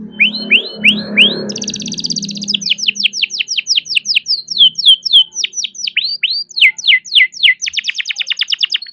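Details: Young captive-bred canary singing a long rolling song to stimulate lazy canaries: rising whistled notes over a low rumble, then a fast high trill and a long run of rapid falling sweeps, ending in another trill.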